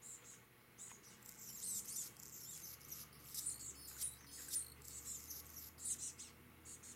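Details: Chestnut-backed chickadee calling among other birds on Vancouver Island, Canada; a busy run of high, thin, twittering notes repeats through the clip, peaking around four to six seconds over a steady low hum.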